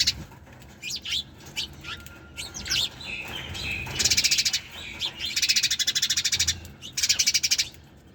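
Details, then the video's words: Several sparrows chirp busily. Scattered high chirps open the passage, then dense rapid buzzy chatter rises in pulsed runs, broken by short gaps, over a quiet low rumble. "Sparrows Chirping Sound"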